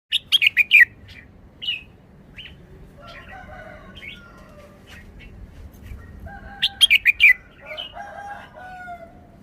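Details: A caged red-whiskered bulbul sings a short, easy phrase in the forest-song style: a quick burst of bright chirping notes, a quiet pause with soft distant calls, then another lively burst.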